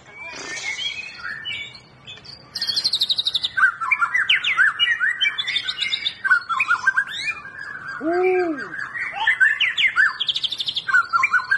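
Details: White-rumped shama song aimed at making a quiet bird sing: rapid high trills and rich varied whistled phrases, with a brief lower squawk partway through.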